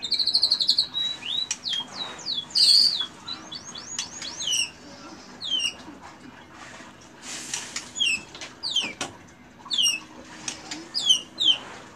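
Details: Murai batu (white-rumped shama) pouring out cililin-style phrases: a high buzzy trill opening, then many rapid, downward-swooping whistled notes in irregular bursts, with soft rustling between them.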